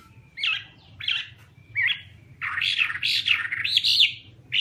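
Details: Chinese hwamei song opening with three separate short slurred whistles about a second apart, then breaking into a continuous rich, warbling run of loud varied notes over a faint low hum.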